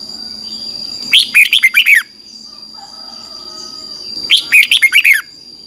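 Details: Bulbul morning song, red-whiskered, played to rouse a freshly caught bird: two quick phrases of cheerful descending whistled notes about three seconds apart, a soft low hum between them, and a continuous thin high whine.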